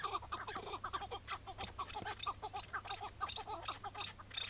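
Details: Wild chukar partridge, caught on a May 2017 morning and released on the spot, calls in layered, rapid clucking chuck notes, several overlapping in a fast rhythmic chorus over a steady low hum.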